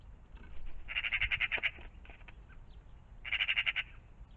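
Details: Two bursts of rattling magpie chatter, each a quick run of harsh clacking notes, separated by about a second and a half of quieter scattered clicks, recorded around a pond in the morning.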